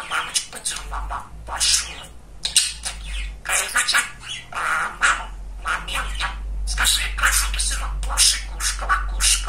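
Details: Very chatty male pet budgerigar talking steadily: long stream of squeaky, gravelly imitated words and chirps in irregular bursts, over a continuous low hum in the background.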